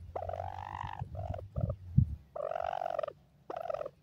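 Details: Dakhni (Iranian) francolin chicks calling in a happy mood: drawn-out, slightly arched whistled notes of about a second, alternating with shorter ones, over low rumbling background noise and thuds.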